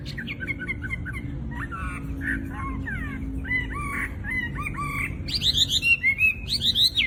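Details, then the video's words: Chinese hwamei, a caged songbird known for imitating other birds, pouring out a varied medley of short slurred notes and chattering phrases, ending in a rapid series of high sweeping whistles. "Burung wambi gacor full isian materi top buat masteran burung petarung"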